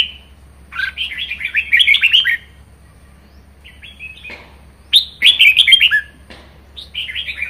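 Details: Pet Red-whiskered bulbul in full 'ché' singing: two long bursts of fast, tumbling, warbled whistles, separated by a quiet gap and a short lone phrase, ending with another brief whistled flourish.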